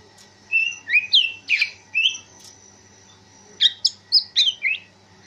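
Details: Greater green leafbird, a kept songbird trained outdoors in the late afternoon to build stamina and a steady temperament for contests; loud clear whistled and slurred notes in two rapid bursts separated by a pause of about a second, with a faint steady background hum.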